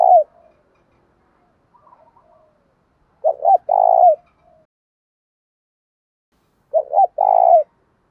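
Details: Spotted dove used as a decoy, calling to goad wild doves into a fight and draw them in: three low cooing phrases, each two short notes then a longer throaty coo, with softer murmured coos in between.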